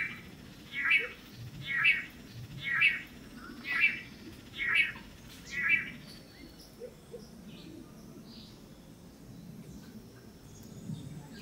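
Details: Long-tailed manakin males courting a female on a lek in Costa Rica: six nasal, buzzy notes repeated roughly once per second, then a quieter stretch with a few faint high chirps and soft background hiss.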